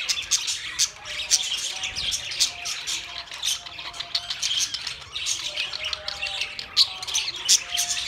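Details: Budgerigars chattering, described as talking: a dense, continuous stream of high, scratchy warbles and sharp chirps with frequent louder squawks, several birds overlapping throughout.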